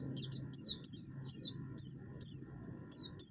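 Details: Buxtoni oriental white-eye giving harsh song notes meant to provoke other birds to sing: spaced, sharp, high chirps sliding downward, roughly one per second, with a low hum in the background.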